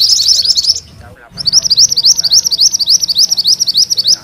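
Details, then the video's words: Mantenan kuning in full vigorous rolling song: fast, high, sharp notes run together into a rattling trill at a steady pitch, with a brief pause, then a longer rolling series of rapid clipped notes. "Suara MANTENAN KUNING ngerol"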